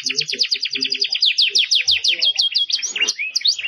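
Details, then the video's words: A Belgian canary with strong song, recorded for training, sings rapid, bright trills of quickly repeated notes, switching to a new rolling phrase about every half second, over faint low background sounds. "Canario belga com muita fibra pra encarte."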